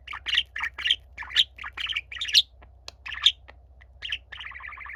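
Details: A younger pet budgerigar sings to a quietly listening older companion. Chattering notes come in short bursts about once a second, mixing squeaky chirps and buzzy trills, with a constant low electrical hum underneath.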